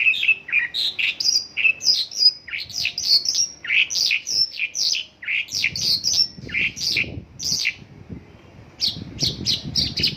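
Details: Mongolian lark delivering a long isian lokalan song stocked with local bird phrases, a restless stream of sharp chirps, twittering trills and falling whistles, with soft low thumps partway through.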